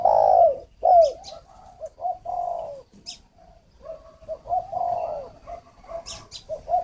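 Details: Decoy spotted dove for luring wild doves, kept at an aviary in Ba Vì, Hanoi, Vietnam, gives loud opening coos, then softer hollow cooing phrases about every second, with faint high chirps.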